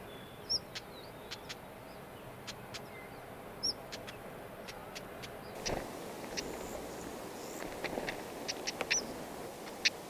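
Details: Wild black-headed stonechats, a pair feeding chicks at a grass nest: scattered sharp ticking calls and several brief high whistles, with a rustling noise midway and steady background hiss.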